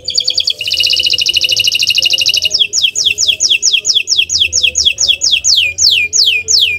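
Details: Canary singing a training song meant to provoke other birds: it opens with a dense, buzzy rapid trill, then a steady series of clear downward-sliding whistles repeated about twice a second. Low background hum.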